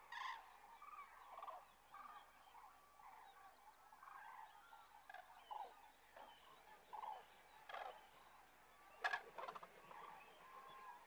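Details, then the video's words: Common cranes resting south of Kastlösa in September 2013. A flock calls over one another, giving a loose chorus of hoarse, trumpeting notes at a moderate pitch, with a few louder rattling calls standing out near the end. "Tranor (Grus grus) Cranes"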